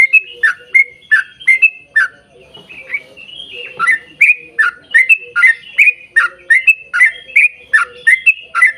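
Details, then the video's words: Yellow-vented bulbul in fast 'gacor' song used to trigger singing in other bulbuls; crisp liquid chirps in quick series, a short softer gap near the third second, then a resumed steady run of upslurred notes. "trucukan gacor ROPEL PANJANG buat pancingan trucukan agar bunyi"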